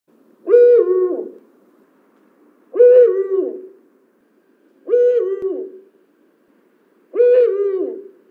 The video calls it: Eurasian Eagle Owl